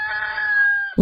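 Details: Rooster crowing: one long, steady, drawn-out harmonic note held for about a second, then cut off by an abrupt, lower, harsher sound.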